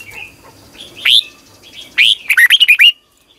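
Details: Red-whiskered bulbul morning song in the long twisted double-voice style, used as decoy training song for competition birds: two rising whistles, then a rapid run of six bright, looping notes.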